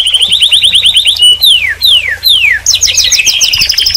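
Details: Canary delivering a quick repeated chip trill, three long descending whistled slides, then a bright buzzy rolling trill.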